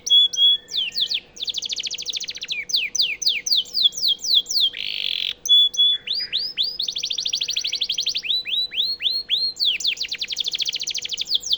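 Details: Canary song for use as a master for White-rumped shamas. Continuous varied phrases of rapid falling notes, a buzzy chatter, arched repeated whistles and long rolling trills play over a faint steady low hum.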